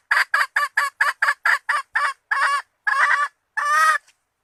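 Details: Female red junglefowl lure sound for attracting males: a quick run of short cackling notes that slow and lengthen into three longer, hoarse squawks.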